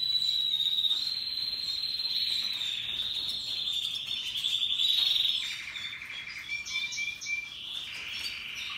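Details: Russian yellow and Timbrado canaries in full song: a loud, steady, high rolling trill that drops midway into lower buzzy rattling phrases and short whistled notes, continuous and bright.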